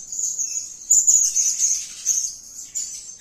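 Blue-crowned hanging parrot giving a very high, thin, sizzling call that runs almost unbroken, with sharper bursts about every half second.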